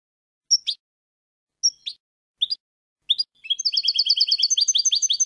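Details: Goldfinch song for tutoring young birds: four separate sharp double chirps spaced over three seconds, then a rapid run of bright twittering notes repeated in quick succession.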